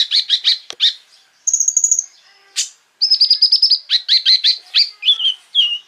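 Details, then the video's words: Energetic sunbird song used to provoke rival sunbirds: a dense run of high sharp chips and notes, a short very high buzzy trill, then long fast series of piercing repeated notes with almost no pause. "PANCINGAN KONIN GACOR FULL BUKA PARUH BIKIN KONIN EMOSI KOLIBRI LAIN !!"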